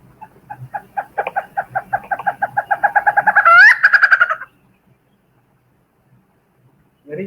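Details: Malabar grey hornbill, endemic to the Western Ghats, Goa: a run of nasal, cackling notes that speeds up and rises into a laughing climax like a small child laughing, about four seconds long, followed by a brief human sound.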